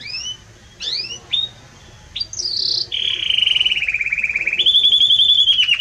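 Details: Belgian canary in strong, warm song: a few rising whistled notes, then a long sustained tone that becomes a fast rolling trill, shifting higher near the end.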